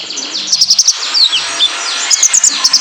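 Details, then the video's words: Male olive-backed sunbird (konin, kolibri ninja) used as a training lure to get caged birds singing. It gives rapid high, thin chirps and sharp tweets in quick bursts, with short downslurred whistles between them. "PANCINGAN KONIN JANTAN BIAR GACOR"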